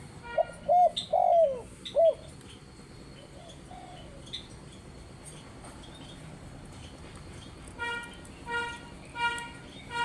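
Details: Spotted dove (tekukur) calling in a lively burst: a quick series of four or five low, mellow coos in the first two seconds, then a quiet pause before a run of brighter, harsher repeated notes near the end.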